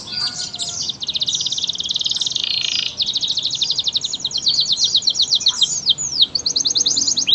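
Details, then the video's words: Canary in vigorous song, local or AF/AFS type: long rolling high trills strung together, broken by a few looping whistled sweeps near the end. "SUARA VARIASI BURUNG KENARI GACOR JENIS LOKAL, AF, AFS"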